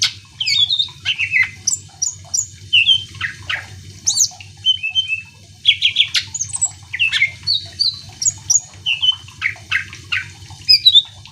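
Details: A greater green leafbird sings continuously, meant to stir other birds into singing: dense, varied phrases of high whistles, slurred chirps and brief buzzy notes pouring out with hardly a pause.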